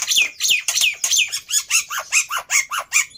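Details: Black-winged myna lure song for prompting a quiet bird to answer: a steady, rapid series of about fourteen squawky, downward-slurred notes, loud and evenly spaced.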